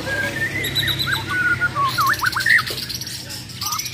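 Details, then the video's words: A champion Bornean White-rumped shama under contest pressure sings a short run of looping whistled notes that rise and fall, followed by brief high buzzy bursts. Background chatter and low hum are also heard. "MURAI BATU BORNEO "MUARA WAHAU" || FULL ISAIN BESETAN DAN TEMBAKAN"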